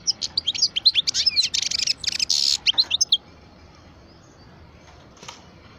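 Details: Caged parva European goldfinch, twelve years old, pours out three seconds of rapid twittering notes and buzzy rattles, then falls quiet apart from one faint note near the end.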